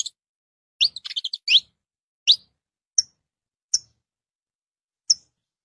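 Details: Saffron finch (Sicalis flaveola) song: a quick burst of bright, high chirps, then single sharp tweets spaced about a second apart.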